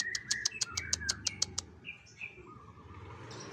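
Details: Contest-training recording of assorted bird voices: a quick run of about nine sharp ticking chirps, then scattered softer whistled notes over light background hum.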